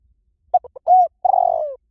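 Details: Lure call of a spotted dove for wild doves: three quick soft notes, a smooth arched coo, then a long rough-edged coo that trails slowly downward, clean with no other sounds.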